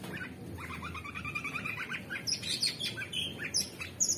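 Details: Captive orange-bellied leafbird in vigorous song: a fast, evenly pulsed trill with stacked tones, then a scatter of sharp high chirps and whistles.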